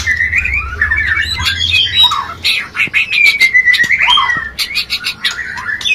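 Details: White-rumped shama mating song for raising breeding urge: varied whistles and sharp chirps, a long descending slurred whistle in the middle, with a faint low hum early on.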